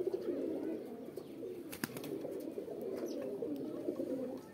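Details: Pigeons cooing a mating call, a thick steady low chorus of overlapping birds, broken by a loud sharp clap-like click near the middle and lighter taps.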